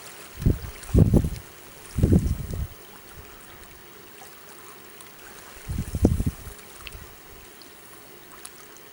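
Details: Several short bursts of splashing water, four loud clusters over a quiet watery background, with no calls from any animal.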